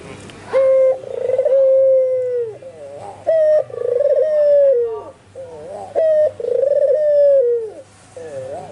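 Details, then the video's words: Repeated cooing of an albino white puter dove in full voice: a brief loud note, then a drawn-out purring coo sliding downward. Three phrases are heard, spaced roughly every three seconds, with quieter warbled notes in the gaps. "SUARA BURUNG PUTER PUTIH ALBINO FULL GACOR"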